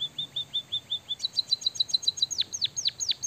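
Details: White-headed munia in captivity singing copied canary notes: evenly spaced short high whistles, then a faster stretch of doubled ticks, then several steep descending swoops.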